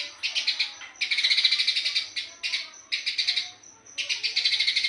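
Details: Eurasian tree sparrow in full 'gacor speed rapat' song: five dense bursts of quick, shrill pulsed chirps, about ten per second, broken by short gaps where a faint steady high whistle remains.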